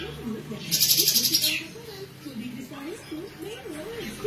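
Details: Kapas tembak bird delivering besetan song, a lively singer for tutoring magpie-robins and green leafbirds: one short burst of rapid, pulsed, buzzy notes, followed by soft low wavering warbles from another bird in the background.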